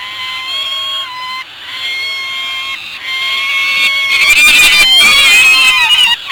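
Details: Peregrine falcon chicks in a nest on Anacapa, filmed on 15 May 2018 while being fed big mouthfuls; sustained, slightly wavering whining notes with rich overtones, overlapping and growing louder and harsher toward the end.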